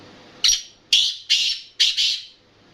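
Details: A black francolin's grating call: a quick series of four to five loud, hoarse, buzzy notes, each fading off, with the final pair run together.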